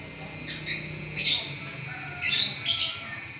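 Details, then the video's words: A champion lovebird keeps up its continuous singing: paired scratchy, high chirps, a louder harsh burst, then a double chirp near the end, with a faint background hum. "Burung LoveBird Juara Nya Ngacor 11 Menit Enggak Berhenti"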